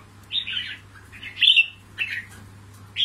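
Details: Wild-trapped red-whiskered bulbul from Cao Bằng, Vietnam, kept for fighting, delivers four bright, chattering phrases about half a second apart over a faint steady hum.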